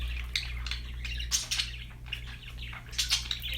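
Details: Budgerigars chirping in bursts of scratchy, high chatter with short squawks, over a steady low electrical hum and faint background noise.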